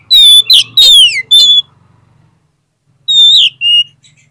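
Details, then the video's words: Oriental magpie-robin song played as a lure to stir lazy, quiet magpie-robins into answering quickly; loud, clear whistled phrases with several quick down-slurred notes in a burst, a pause of over a second, then two more bright whistles. "PANCINGAN KACER PALING AMPUH UNTUK RANGSANGAN KACER YANG MALAS BUNYI AGAR CEPAT NYAUT"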